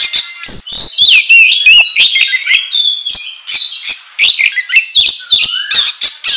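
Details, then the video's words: Vigorous oriental magpie-robin song used as a lure to provoke other birds: fast, varied phrases of harsh squawks, bright whistles and down-slurred notes packed closely together, with sharp broadband clicks throughout. "Pancingan Kacer Gacor Ngobra Menggila"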